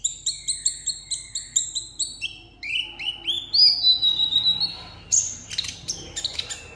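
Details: Caged sunbird in Vietnam singing solo in a song contest: a quick repeated series of high doubled chirps, shifting into rising slurred whistles and a burst of sharp scratchy notes.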